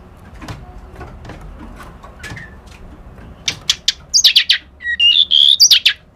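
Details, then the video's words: White-browed reed warbler song: quiet clicks and taps, then in the last half a burst of loud phrases mixing high rising whistles with short buzzy, scratchy notes. "Suara Burung Kerak Basi Alis Putih"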